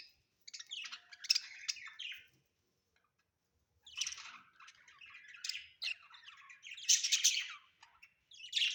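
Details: Budgerigars kept at home give scratchy, squawky warbling with harsh chirps mixed in. The chatter comes in long rambling phrases, broken by one brief silence and then resumed more loudly.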